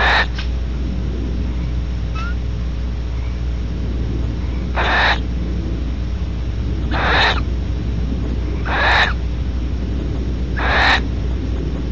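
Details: Wheezing of a female Barn Owl after mating at Audubon Starr Ranch, California: a burst at the start, then four breathy, scratchy hisses about two seconds apart over a steady low drone.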